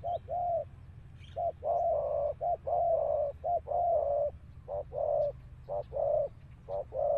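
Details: Spotted dove from Malaysia; a steady run of soft, hollow coos, short notes alternating with longer drawn ones, about one per second, over a low rumbling outdoor background.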